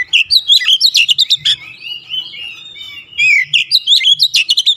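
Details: Energetic song of an Oriental magpie-robin, known locally as kacer, meant to rouse stressed birds: quick high chirps and whistled slurs, a short calmer warbled stretch, then another fast run of sharp notes.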